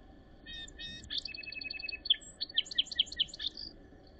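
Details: Song sparrow singing during the last snowy days of April 2023 in Northern Ontario: a few soft introductory notes, then a bright run of sharp, rapidly repeated chips and trills ending in a buzzy note.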